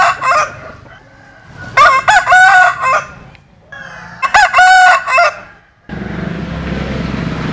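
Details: Roosters crowing, Vietnamese and American Sil birds: a short opening crow then two long, loud, clearly harmonic crows a couple of seconds apart, ending in steady hiss-like background noise.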